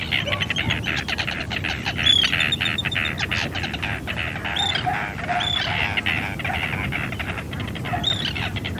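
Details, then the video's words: Field-recorded Arctic tern (Sterna paradisaea) calling: sharp rasping cries with short downward-sweeping notes recurring every second or two, overlapping chatter from several birds and a constant noisy background. "Do you know the sound of an Arctic Tern ?"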